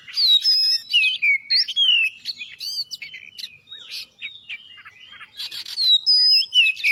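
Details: Oriental magpie-robin in lively, continuous song used to prompt other birds: dense, varied whistles, chirps and harsh buzzy notes, delivered rapidly with short gaps.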